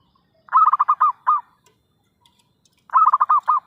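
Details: Zebra dove calling energetically as a trapping lure. Two phrases of rapid, bubbling coo notes, the first ending with a separate detached note, then a pause before the second phrase.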